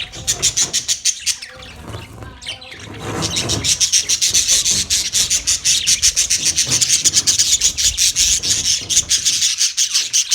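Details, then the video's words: Budgerigars from Australia in continuous high chatter, a rapid rasping stream of chirps that grows louder after a few seconds and keeps up a fast, uneven pulse. "Budgies Parakeet Birds Chirping sounds Big sound of Australian Budgies parrot"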